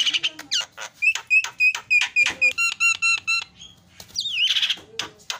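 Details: Caged starling serving as a lure to make other birds call, pouring out rapid varied chips, repeated rising squeaks and a run of clipped metallic notes, ending in a twisting buzzy phrase.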